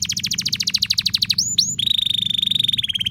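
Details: Caged canary singing a long, loud gacor song used as a lure to set other canaries singing: fast repeated descending chirps, then two sweeping whistled notes, then a rapid buzzy trill held steady, over a faint low hum.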